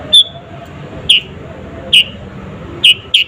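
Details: Sooty-headed bulbul, natural recording used to provoke rivals: a few loud, clear single chirps spaced about a second apart, separated by quiet low background noise.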